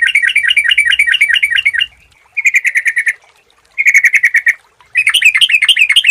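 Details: Lure recording of a sooty-headed bulbul: four bursts of rapid chirping, some bubbly and wavering, others clipped and evenly pulsed, separated by brief near-silent gaps.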